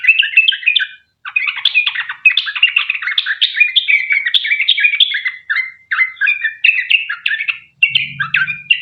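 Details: Sooty-headed bulbul singing energetically with extended trills, played to coax other bulbuls into song: rapid chattering, slurred whistled notes in short bursts separated by tiny gaps, a faint low hum near the end.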